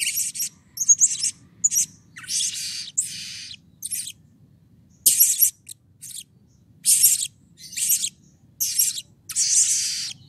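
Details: Energetic, continuous calling of a blue-crowned hanging parrot, meant to excite other birds into calling: dense runs of harsh, high buzzy chirps with brief breaks, sounding agitated and busy.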